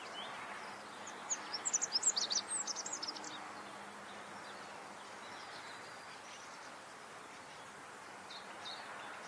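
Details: In Germany's Moselle valley a rock bunting delivers one short high-pitched song phrase of fast thin, tinkling and buzzy notes, followed by long stretches of soft steady background noise.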